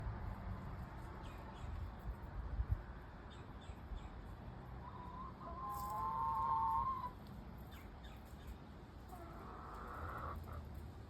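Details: Domestic hens exploring out front in a backyard, giving a few soft, low clucks and one drawn-out tonal call in the middle, against a steady background hiss.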